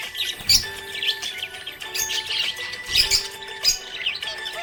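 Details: Happy budgie giving bursts of sharp high chirps and short twittering phrases, with brief gaps between them, over a faint sustained musical tone in the background.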